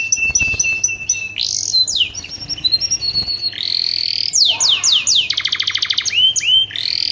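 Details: Mating song of a canary, played to spur other canaries to sing: a few clicks and a held whistle open a varied phrase, followed by looping down-slurred notes and a rapid rattling trill.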